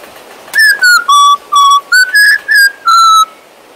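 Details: Pet male Western Australian magpie whistling a clear tune of about eight pure, sustained notes that step between lower and higher pitches, each note with bright overtones, in a quiet indoor setting.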